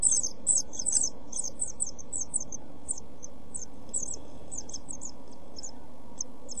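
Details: Seven-day-old European pied flycatcher chicks in a nest box on 23 June 2012, begging with high thin cheeps that start loud and dense, then thin out to sparse scattered notes over quiet hum.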